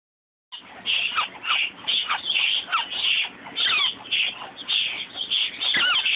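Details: Five yellow-shafted northern flickers in care in a bird room give harsh, buzzy rasping bursts, about two each second, high-pitched with a few squealing down-slurred notes mixed in.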